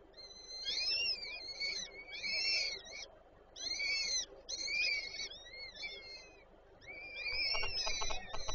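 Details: Female peregrine falcon feeding chicks at a nest in Warszawa Żerań, Poland, 8 May 2023: a string of shrill, wavering calls, short and long, ending with a soft rattling patter.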